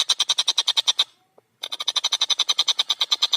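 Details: Long-tailed shrike in full, clear, fast song: a dense run of harsh, rasping notes repeated about ten times a second, broken by a brief pause before the chatter resumes.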